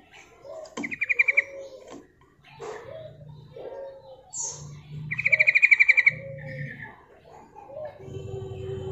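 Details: Female yellow-vented bulbul giving its calls to lure birds: two fast pulsed trills amid scattered lower warbles, clicks and rumbling background sounds.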